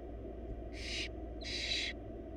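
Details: Four wild barn owl babies in a nest box beg during a feeding on a huge rabbit; two rough hissing screeches in quick succession, the second longer, over background hum.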